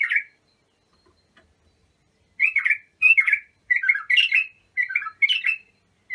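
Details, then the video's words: Young-bulbul training song, Abu Shuaib type: a lone short whistle, a pause, then a lively run of six to seven chopped warbling phrases in quick succession, bright and fluty. "تغريد بلابل ابو شعيب لتخريج البلابل"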